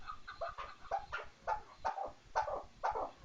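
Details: Chukar partridge giving a short series of hoarse, clucking notes that start quick and close together, then spread out and grow louder.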